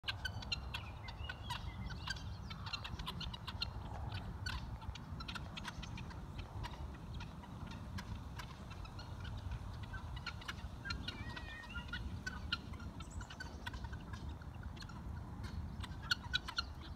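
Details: Helmeted guineafowl catching insects in a field give short, harsh clucking calls over a steady low rumble of wind.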